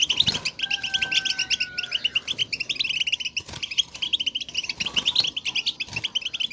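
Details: Goldfinches giving contact calls to show their presence; rapid high twittering in crowded bursts, with a steady whistled tone under the first seconds and brief low thuds between phrases.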